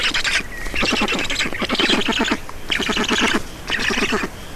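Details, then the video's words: Feeding at a black stork nest in Estonia, evening of 4 June 2019: four loud bursts of fast, rattling, wheezy pulses, each lasting under a second, with short gaps between them. "Estonian Black Storks - Feeding"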